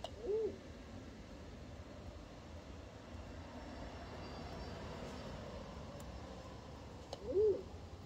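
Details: Two crested pigeons mating on a balcony; two soft low rising-and-falling coos, about seven seconds apart, with quiet background hum between them.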